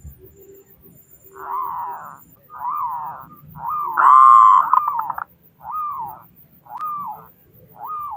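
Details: Local zebra dove with a loud voice, singing to encourage other doves to sing: a string of arched, rounded coos about a second apart, with one longer, louder rolling phrase in the middle.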